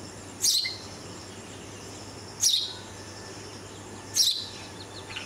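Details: A red-vented bulbul fledgling being visited and fed by its parents after a cat attack on the nest; three bright, high chirps with quick downward tails, roughly two seconds apart, against low constant background noise.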